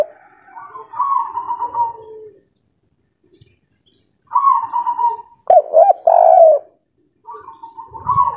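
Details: Spotted dove of local wild stock in full breeding condition, singing the kuk 3 style: separate bouts of mellow, hollow cooing notes, some phrases longer and louder, with silent gaps of one to two seconds between them.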